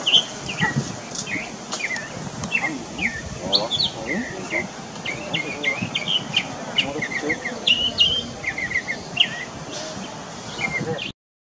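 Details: Mockingbird singing in Varadero, Cuba, in September 2023: a varied run of short chirps, slurred notes and quick phrases near the upper-middle range, with a steady insect-like hum and low rumbling background throughout.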